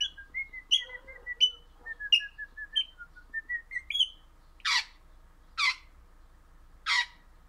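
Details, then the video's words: An orange pet crimson rosella, singing contentedly, strings together short whistled notes at a quick pace, then finishes with three loud, harsh squawks spaced about a second apart. "Happy Parrot Crimson Rossela Pennant Orange Singing"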